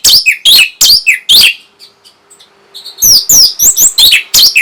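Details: Song of an Orange-headed thrush, played to stimulate breeding drive and replies. Loud rich phrases of harsh and whistled notes come in quick bursts, with a short quiet gap between two bursts.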